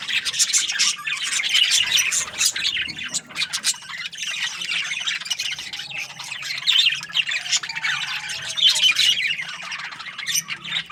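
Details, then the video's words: Budgerigars kept as breeding pairs in an aviary, giving bursts of bright chirping and scratchy warbles that rise and ebb, with several loud flurries of calls. "Happy budgie chirping sounds | parakeet breeding pairs"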